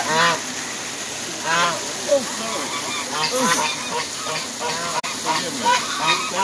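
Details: Angry geese honking repeatedly, loud nasal blaring calls with rich harmonics following one another every second or so, several birds overlapping.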